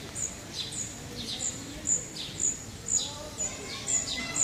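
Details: Birds singing in Parque de la Florida, Vitoria-Gasteiz: sharp, very high chirps repeated about twice per second, each a brief bright tick with a softer lower buzz beneath, over steady low background hum.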